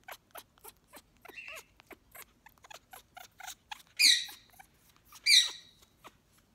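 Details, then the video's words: A female African grey parrot, out of her cage and being hormonal, makes rapid dry clicks and ticks, a brief nasal note, then two loud, harsh squawks close together near the end. "African Grey parrot being hormonal"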